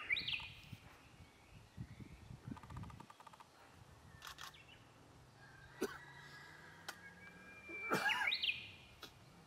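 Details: Japanese bush warbler song with two bright, looping whistled flourishes, one at the start and one near the end, separated by clicks, sharp taps and low rumbling noise.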